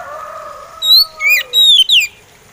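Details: Oriental magpie robin, locally called poci or kacer, singing a slow-style song meant to set other magpie robins singing; clear, loud whistled notes, some sliding downward, four phrases in quick succession over a faint background hum.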